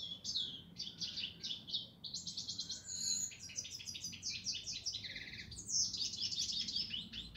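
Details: European goldfinch singing a fast, continuous twittering song of high, tinkling chirps and trills, with a brief lower buzzy note near the five-second mark, over faint background hiss.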